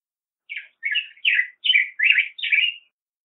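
A black-headed grosbeak sings six rich, burry warbled phrases in quick succession, rising and falling in a robin-like flow, with quiet background.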